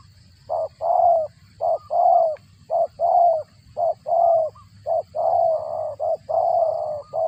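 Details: Low cooing of a spotted dove as it feeds its chicks, described as cricket-like: a continuous chain of short and drawn-out throaty notes in rough pairs, repeated roughly once a second.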